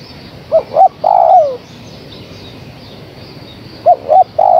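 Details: Female spotted dove calling the male: two short clipped coos, then a long mellow coo sliding downward. After a pause the next phrase begins with the same short notes. Faint background hiss.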